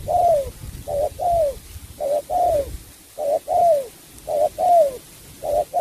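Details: Spotted dove singing in the style called 'sắm bầu bạch đề': paired cooing phrases, a short note then a longer, downslurred coo, repeated about once a second with short gaps between them.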